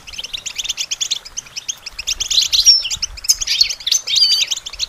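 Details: European goldfinch song for training caged songbirds: bubbling high twitter, rising in loudness midway, with bright thin whistled accents and quick trilled runs.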